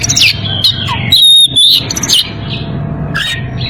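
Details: Oriental magpie-robin in breeding condition, calling out to a rival, gives loud varied whistles, a long level piercing note, quick downslurred chips and short chattering phrases, delivered rapidly and irregularly.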